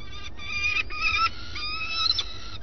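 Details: Peregrine falcon at a webcam-watched nest site in Alcalá de Henares, Madrid, calling while defending what is its own: drawn-out, harmonic whining calls, several linked in sequence with brief breaks, over a low background rumble.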